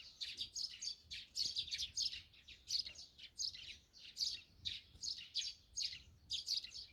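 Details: Several Eurasian tree sparrows chattering in the morning near a countryside home in Korea, a continuous run of bright, rapid chirps and cheeps clustered in quick bursts.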